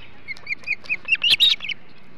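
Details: Osprey at the Hog Island nest while feeding on a big flounder, 21 July 2016; soft high chirps accelerating into a loud, harsh squealing burst.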